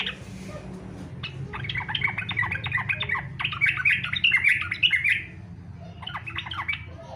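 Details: Fighter-style song from a Yellow-vented bulbul, used as a lure to make other bulbuls sing: a sustained fast chatter of buzzy, tumbling notes lasting several seconds, then a shorter closing burst.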